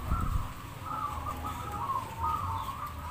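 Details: At a Demak, Semarang singing contest, zebra doves deliver gentle, trilled coo phrases that roll and rise in overlapping series against a constant low hum from the crowd and surroundings.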